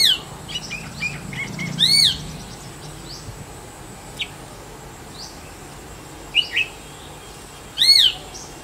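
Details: Clear, melodious notes from a male Jerdon's leafbird, a call that serves to attract a mate or hold territory: scattered high chips and short whistles, with two loud arched whistled notes about six seconds apart, against steady low hiss.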